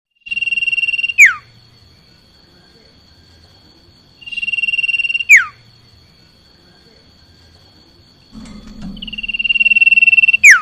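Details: Common iora singing: a long, evenly pulsing high whistle held for about a second, then a sharp downward-slurring note. The phrase repeats roughly every four seconds, three times, over a faint low hum.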